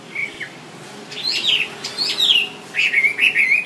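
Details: Wambi song for songbird training: a few scattered whistles, then sweeping upslurred and downslurred whistled notes, ending with short wavering chirps in quick succession.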